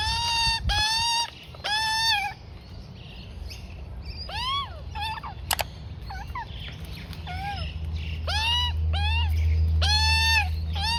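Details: A female juvenile Australian magpie about 4-5 months old gives harsh, rising, squawking begging notes in quick bursts while her mother feeds her rolled oats and Wombaroo. A low steady hum runs underneath.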